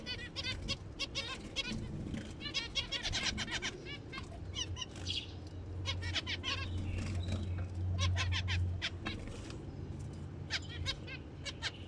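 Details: Zebra finches in their breeding period give rapid, nasal, toy-trumpet-like beeps and chatter, several birds calling over one another, with a steady low hum and some wing flutters.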